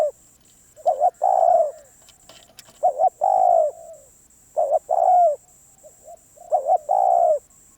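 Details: Repeated spotted dove phrases, four in all: a wavering two-part pickup, then a strong, mellow, slightly descending hoot, repeated at irregular intervals against a quiet hissy background.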